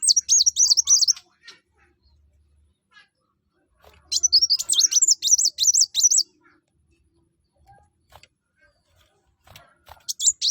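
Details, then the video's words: Gacor sunbird, the kuwul or kolibri wulung, used to make other birds sing: three bursts of rapid, very high, zigzagging whistled notes, the longest about two seconds, separated by quiet gaps. "kuwul atau kolibri wulung/mucang gacor. buat burung lain pasti ikut gacor"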